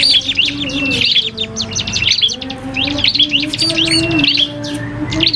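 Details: Cipoh kristal (common iora) dueling a prinia in a recording meant for training caged birds: quick, high, repeated chirping phrases with short pauses, over a low steady droning tone.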